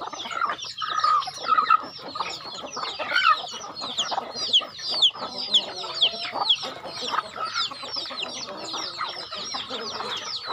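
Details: Feeding chickens on a home farm produce scattered high peeps and chirps among sharp pecking clicks and rustling, with a low hum underneath.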